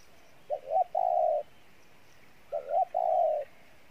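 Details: Two Pha Bài Lối coo phrases from a decoy spotted dove, each made of two short rising notes followed by a long, even, hollow coo, about two seconds apart over a quiet hiss.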